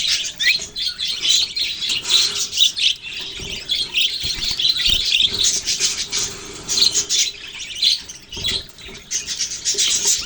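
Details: A group of budgies chattering, recorded November 6, 2023: busy high chirps and scratchy warbles run on without a break, rising and falling in loudness in uneven waves.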